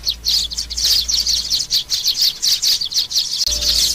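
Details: Chirping of young sparrows, used as a lure for glue traps: rapid high squeaky chirps in quick bursts, several per second, with brief dips between clusters and a low background hum.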